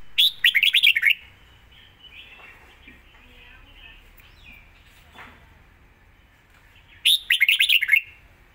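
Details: Red-whiskered bulbul giving its fast 'zone' style song, two dense bursts of rapid, bright, bubbling notes about six seconds apart, separated by faint soft warbling.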